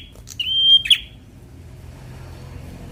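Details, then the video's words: A single phrase from a young fighter bar-winged prinia, used to prompt lazy birds to sing: one clear sustained whistle finishing with a sharp buzzy click, then quiet background. "Prenjak Semi Muda fighter || Rangsang bunyi burung Malas bunyu"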